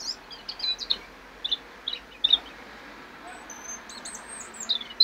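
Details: European robin, recorded in 2016, giving short spaced high notes and brief twittering fragments, then a thin whistled phrase, against low background hiss.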